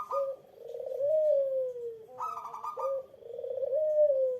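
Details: Eurasian collared dove provoking a rival: two falling, purring coo phrases, each opened by a harsher, raspy, higher-pitched burst before the mellow downward glide.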